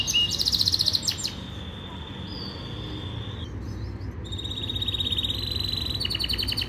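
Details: Yorkshire canary training song with a buzzy rattling trill, long sustained high whistled tones and a later fast pulsed rattle, over faint low rumble.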